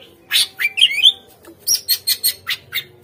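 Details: Captive greater green leafbird song used as a lure to prompt other caged birds to respond and sing: rapid run of bright slurred whistles and chirps, about ten short notes in three seconds.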